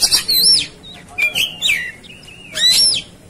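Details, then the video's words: Oriental magpie-robin in fighting mood, from a song-tutoring recording: loud, fast-changing whistles with sweeping up-and-down slides and rough notes in three short bursts, with a quiet hum underneath. "Segala Kacer Ikut Ngamuk Tarung"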